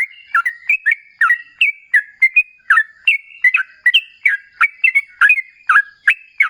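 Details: Steady stream of lively, liquid whistled phrases from a sooty-headed bulbul in long rolling song, used as a lure so other bulbuls reply; notes rise and fall, each phrase two or three syllables, repeated about every half second.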